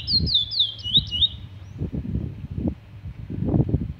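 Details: Trini bullfinch, the Trinidad name for the chestnut-bellied seed finch, giving a short run of sweet slurred whistled notes for just over a second, with heavy low rumbling handling noise throughout.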